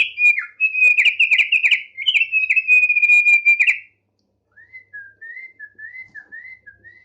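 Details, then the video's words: Tame male Thick-billed heleia in steady song: a long burst of loud clear whistles laced with dry clicking notes for nearly four seconds, followed by quieter paired slurred whistles in an even rhythm. "Opior Paruh Tebal, Jinak Gacor"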